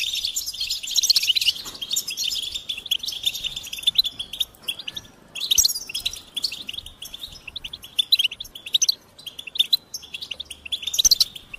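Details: Goldfinch twittering in several bursts of rapid, bright chirps and buzzy trills, with short pauses around two and five seconds and a loud flourish at the close.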